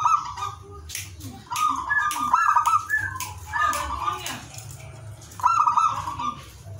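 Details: Zebra dove song in the ngowar style, aimed at arousing breeding desire in other doves: several broken, rolling cooing phrases with uneven, ragged trills and clicking notes, over a constant low hum.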